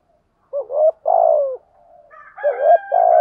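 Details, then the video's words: Spotted dove coo played to excite other doves; soft short notes then a long, throaty, downward-ending coo, with a fainter overlapping phrase and a higher whining tone near the end. "chim cu gáy thúc gù đủ sách bổi nghe ăn lại ngay. chim cu gáy kích bổi nhanh nổi hiệu quả"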